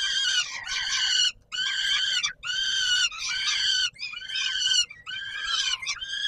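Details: Peregrine falcon, Palace of Culture and Science, Warsaw, 17 July 2022, around supper: six or seven raucous, buzzy wails, each near a second long, given in a steady series with brief gaps.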